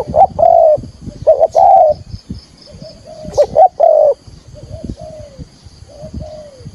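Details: Spotted dove, a decoy bird, giving the full 'gọi thúc gù' calling in field style to lure wild doves into a trap: loud, low, mellow cooing phrases of short notes and drawn-out coos in bursts, then softer trailing coos, with a faint steady high tone behind.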